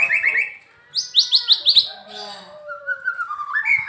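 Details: White-rumped shama from Medan, described as a diligent singer: quick high whistled trills and bright upward-sweeping notes, then lower drawn-out whistles that climb at the end.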